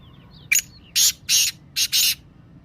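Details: Black francolin calling voice, a sound meant to make lazy pet Teetar start calling. One sharp click precedes four loud, harsh, rasping notes in a pair-and-pair rhythm, with faint small-bird chirps early on.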